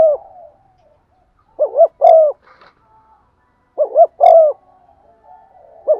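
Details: Decoy spotted dove's stimulating coo in 'giọng son' voice: a short wavering note followed by a longer, smoothly falling coo, the two-part phrase repeated about every two seconds with faint clicks between.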